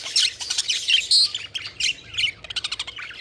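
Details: Playful pet budgies, a quick run of squeaky chirps and a harsh squawk, ending in a fast series of short clicking ticks.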